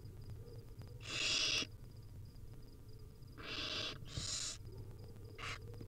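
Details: Wild barn owl nestlings begging on a live nest cam while their mother feeds them: one loud raspy hiss, then a close pair of hisses and a brief final one, low hum throughout.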